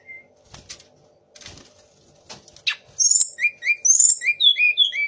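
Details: Several soft thumps and rustles open, then a Sunda laughingthrush delivers a rapid string of bright, short whistled slurs, mimicking magpie robin, shama and orange-headed thrush.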